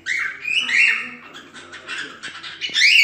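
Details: Cockatiel singing, used as training material to teach other cockatiels to sing: a continuous bright warble with rising and falling whistled notes, ending in a louder squeaky flourish.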